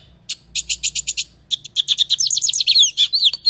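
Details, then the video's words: Lined seedeater (bigodinho), Brazil, full song for tutoring young birds: a series of evenly spaced high clipped notes, a short gap, then faster chattering notes ending in slurred whistles, over faint low hum. "CANTO DO PÁSSARO BIGODINHO COMPLETO PARA ENCARTE!"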